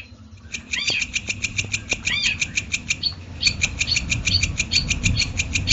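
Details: Long-tailed shrike, called cendet, in a masteran training recording: rhythmic high clicks repeated several times a second, mixed with squeaky upslurred chirps. There is a short pause near three seconds, over faint low background noise.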